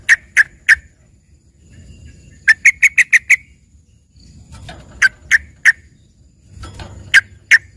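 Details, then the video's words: Yellow-vented bulbul performing a trained 'isian' song said to sound like a green leafbird: sparse groups of two to six sharp, clipped notes with pauses between, over faint low background noise. "dengerin suara trucukan isian ini serasa bagai punya burung cucak ijo gacor"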